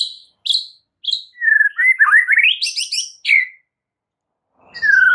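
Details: Masteran of white-rumped shama song, played to calm stressed birds and set them singing: sharp downslurred whistles, then a wavering climbing warble breaking into high fast trills, a falling note, and a final descending whistle.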